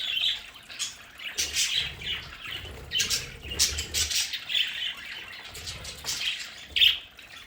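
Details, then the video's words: A flock of pet budgerigars in a home play area chatters and squawks in irregular bursts, with soft low fluttering or thumping sounds between calls. "Sonidos de budgies para Budgies en casa"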